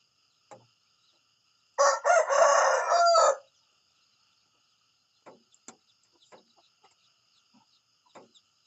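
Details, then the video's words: Morning crow of a rooster: one loud, rasping call lasting under two seconds, starting abruptly and held near one pitch. Faint clucks and clicks follow. "the sound of a rooster in the morning"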